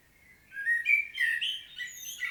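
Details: Common blackbird singing a solo in a field recording from Świnoujście, Poland, on 25 September 2022: a short, mellow, fluted phrase of slurred whistled notes that wavers upward and ends in a brief, thinner, higher twitter, with no other clear sounds.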